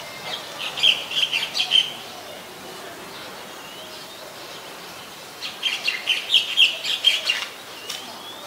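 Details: White-vented myna recorded in Ubon Ratchathani, Thailand, 17 July 2020, producing two bursts of fast, scratchy chattering notes separated by a quiet pause of several seconds.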